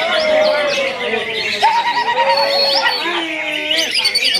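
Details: Greater green leafbird in steady song: clear whistled notes, a wavering trilled whistle, and slow sliding phrases that dip and rise, over a busy backdrop of other chirping birds and some human voices.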